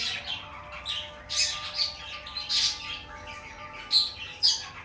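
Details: Lovebird chirps: squeaky, scratchy notes in short clusters, a few sharper louder squeaks toward the end, low hum underneath.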